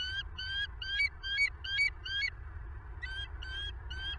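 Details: Bald eagle chattering at a southwest Florida nest at night on 25 November 2022: a steady series of six high piping notes about twice a second, a brief pause, then three more, over a low hum.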